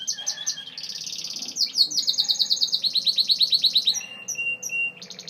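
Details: A Gloster canary sings a varied high song: quick chips, a sustained trill, a long run of fast repeated pulses, then a few separate whistled notes and a final trill.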